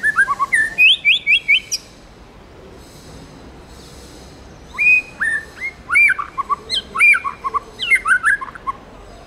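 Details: White-rumped shama, a tame bird, singing in wild forest style: a fast run of sharp, clear whistled notes, a pause, then a longer varied phrase of slurred, rising and falling whistles and chips.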